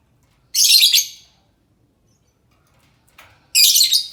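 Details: Lovebird calling as a lure to make other lovebirds answer: two loud, harsh, high bursts of rapid chattering chirps, each about half a second long, separated by a three-second quiet gap with a faint softer note before the second burst.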